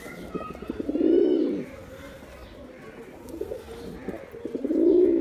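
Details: Male pigeon coos in two strong bursts, each a deep, throbbing roll lasting about a second, with quieter murmuring between.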